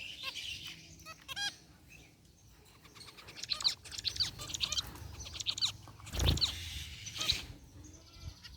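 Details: Group of zebra finches in an aviary, white and gray varieties, including a rare white one, chirping in their cage; scattered short nasal calls and sharp ticks amid soft clicking and rustling, with low background rumble.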